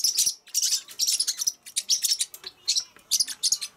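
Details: Pacific parrotlets chirping in rapid bursts of high, thin, scratchy notes, closely packed and almost continuous with brief pauses, indoors.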